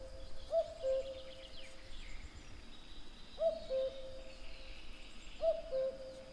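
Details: Three evenly spaced cu-coo calls from a common cuckoo, each a bright note falling to a slightly lower hoot, against a backdrop of distant small-bird song.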